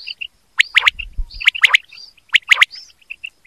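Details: Quail calls from a hunting recording: sharp triple note bursts recur about every second over soft chirps and arched whistles, with a brief low thump beneath.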